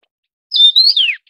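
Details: Single clear whistled phrase from a Taiwan yuhina feeding chicks: a high steady note that rises slightly, then slides smoothly downward, in a quiet setting.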